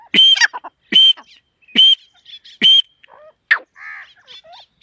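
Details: Female partridge (teetar) giving loud, harsh, ringing notes about once a second, four in a row, then a few softer scattered chirps and short buzzy notes in an otherwise quiet setting.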